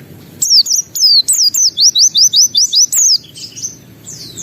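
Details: Pleci, a white-eye, in full energetic song showing off its repertoire: a fast series of about a dozen high, downslurred whistles at an even pace, ending in softer trailing chirps.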